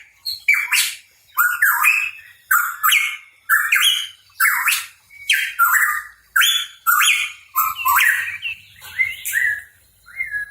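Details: Hooded pitohui, called cucak rawa papua, singing energetically: a steady series of loud phrases about every second, each a harsh burst sliding into a rising whistled note, in a quiet indoor-sounding setting.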